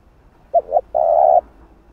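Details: Spotted dove calling coos used to lure and train a decoy bird: two short quick hooting notes, then a long, steady, even coo held for about half a second, all low and mellow over a quiet background.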